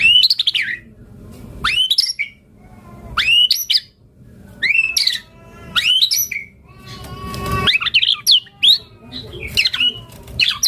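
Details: White-rumped shama singing actively, used as a lure and tutor song rich in fillers. Loud bursts of sweeping whistles and rapid slurred notes come in phrases every one to two seconds, with one harsh noisy burst midway.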